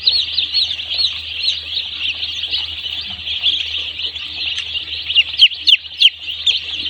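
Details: Many one-day-old chickens on a poultry farm cheeping together, a thick unbroken wash of shrill peeps, with several louder sharp downward chirps standing out near the end over a faint low hum.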